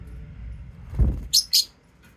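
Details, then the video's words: Lovebirds calling: a dull low thump, then two separate shrill, piercing high chirps about a fifth of a second apart, with a quiet low hum underneath. "Love birds singing sound and chirping sound"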